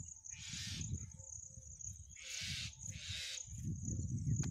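A myna gives three harsh, raspy, scratchy calls spaced about a second apart, over low rumbling wind or handling noise and a steady high insect-like whine.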